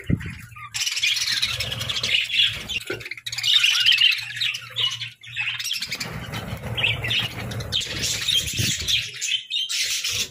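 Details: Happy, playful pet budgerigars in a flock give continuous overlapping chatter, scratchy warbles and sharp chirps, with low rumbling background noise throughout.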